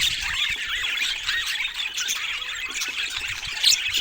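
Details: A group of budgerigars in continuous warbling chatter, a dense wash of high, rapidly wavering chirps and squeaky notes layered over each other, with one sharper squeal near the end.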